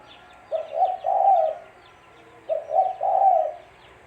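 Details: Spotted dove, tekukur, calling as a trapping lure with two soft, low cooing phrases two seconds apart, each a brief double note and a longer warbling coo, faint small-bird chirps audible.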